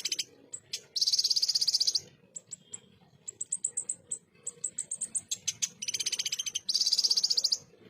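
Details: Ruby-cheeked sunbird singing in the full rough 'tembakan kasar' style, used as a tutor recording for competition birds: two long, dense, very high buzzy trills about a second each, separated by sharp ticking chips and short high note runs.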